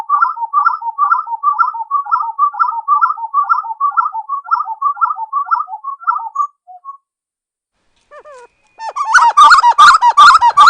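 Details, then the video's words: Uru (spot-winged wood quail) in Serra dos Órgãos National Park, Teresópolis: a long even run of quick repeated whistled phrases, about two and a half per second, then a pause and a louder, rougher chorus. "Som limpo do canto🎵 da Uru (Capoeira)"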